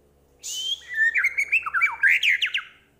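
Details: White-rumped shama of the Medan type, singing a chatty full-isian song: a rising whistle, then fast varied whistled notes that slide up and down and end in sharp downslurred notes.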